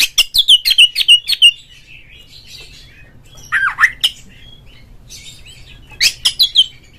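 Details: Oriental magpie-robin singing in 'ngeplong' style to trigger song in other magpie-robins: a rapid string of about ten sharp whistled notes, a pause, a low swooping slur, then a further quick burst of high notes.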